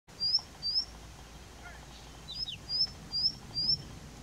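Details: Indian bushlark singing from a rock, a series of short, thin, high upslurred notes at a steady quick pace, about six in four seconds, with faint background noise.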